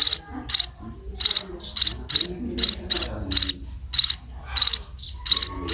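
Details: Sparrows being fed give insistent buzzy begging chirps in irregular bursts, some closely paired, separated by short silences.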